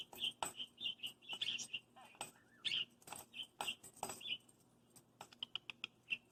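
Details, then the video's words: Six-month-old hand-raised pet parakeet kept indoors, playing with its bells just before bed: short bright chirps repeated in quick bursts, roughly two or three per second, mixed with sharp clicking and tapping from the toy bells. "Our Parakeet Mr. Pippers attacking his bells, talking and making sounds."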